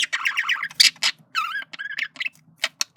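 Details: Flirting male budgie in a small room, rapid rippling chatter followed by wavering whistled phrases and sharp clicks, delivered in quick uneven bursts.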